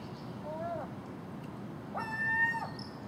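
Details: At dawn, common gulls squabble over garbage put out the night before, joined by a magpie and crow; a short rising-falling cry is followed by a longer, steady, ringing call against faint low noise.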